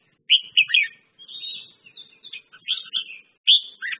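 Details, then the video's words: Red-whiskered bulbul song of sharp, clear whistled notes, a few rising and falling chirps, then a softer warbled passage and a final loud two-note phrase; quiet background. "red whiskered bulbul/ merbah jambul"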